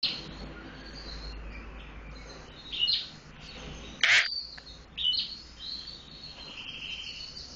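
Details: Tame Eurasian tree sparrow chirping actively: short, sharp high chirps in scattered bursts, a loud one near the middle and quieter ones around it, over low steady background hum.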